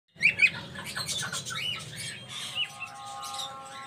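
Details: An exhibition cockatiel gives two sharp chirps, then a run of harsh, buzzy chatter with some steady tones.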